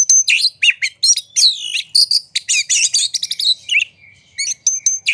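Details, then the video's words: Provoking song of a white-rumped shama, loud and continuous, with looping whistles, harsh buzzy chatter and quick repeated notes, briefly pausing near the end before resuming. "Pancingan Suara Kacer Gacor Buka Ekor! Buat Kacer Lain Pasti Ikut Emosi Gacor Ngobra"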